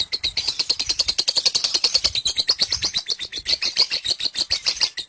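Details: Ngekek of a lovebird, which calls for roughly 30 seconds with head lifted upward: rapid, unbroken series of shrill, rasping high notes repeated at an even rhythm throughout.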